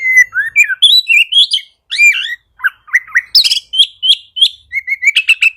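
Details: Oriental magpie-robin singing, played to prompt reluctant magpie-robins into song: loud, varied whistled phrases, some rising and some falling slurs, with sharp high chips. The notes come in quick bursts separated by short gaps.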